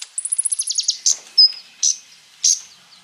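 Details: Crimson Sunbird (konin) singing as a lure for other birds: a rapid high trill of about a dozen notes, followed by several separate sharp, buzzy chips.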